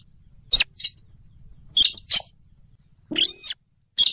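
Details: Trapping lure of the slaty-breasted rail, a rail of swamps near rivers or lakes: a few sharp clicks and paired ticks, then a half-second arched, squealing note, with low hum underneath.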